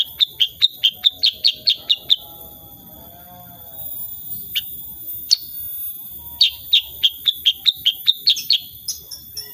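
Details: Sooty-headed bulbul in 'tembakan' shooting song, unedited recording: a fast run of about twelve sharp high chips, a pause with a few single notes, then another rapid burst of around ten chips over a faint electronic whine.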